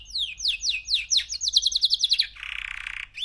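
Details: A three-month-old male canary sings a series of downslurred notes that speed up into a rapid high trill, then breaks into a rasping buzzy rattle.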